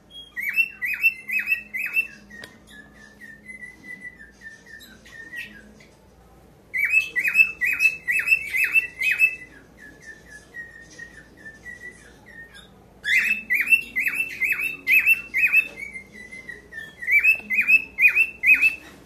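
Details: A pied cockatiel gives bursts of bright, warbling whistles as a mating call for courtship and attracting a mate, repeated in phrases every few seconds.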